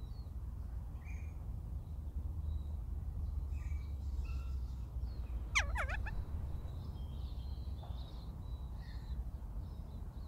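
A kea gives a quick burst of three or four shrill, steeply falling screeches over a steady low rumble of wind, with faint chirps of other birds.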